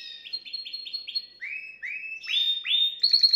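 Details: Canary song used to excite a female: a fast run of repeated chirping syllables, then lower swooping notes repeated several times, ending in bright higher slurred phrases and a brief rattle.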